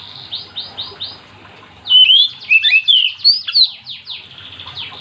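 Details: Oriental magpie-robin song that prompts other magpie-robins to sing along, several soft swooping notes leading into loud rapid whistles and chattering phrases, then softer repeated slurs.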